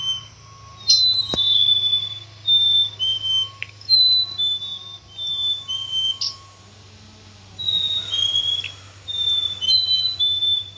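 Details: Black-capped chickadee delivering a long series of pure, steady whistled pairs, a higher note dropping to a lower one, against a constant low hum.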